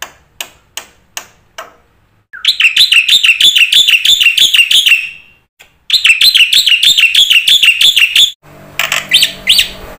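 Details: Black-winged myna song full of varied phrases, played to prompt silent mynas: a few ticks, then two long runs of rapid, bouncing buzzy notes, then chattering notes over a low hum.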